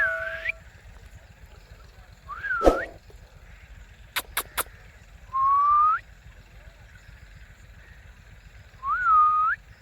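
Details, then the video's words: Pet Ringneck parakeets, blue and kiwi colour forms, making talking sounds: four clear rising whistled notes spread over ten seconds, with a loud sharp note and three short sharp clicks between them, over a quiet low hum. "Blue Ringneck & Kiwi Ringneck parrot Talking Natural sounds"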